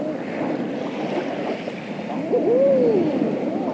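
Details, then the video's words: Eiders offshore on the water on a late spring evening: one short rising-then-falling cooing call stands out over steady wave wash. "Evening Eiders Calling On Water With Wingflaps And Waves"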